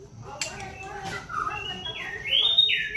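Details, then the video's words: White-rumped shama song for luring a bird into full song: soft low warbles, then clear rising and falling whistles toward the end over faint background hiss. "pancingan MURAI BATU agar GACOR dan LANGSUNG EMOSI bongkar isian"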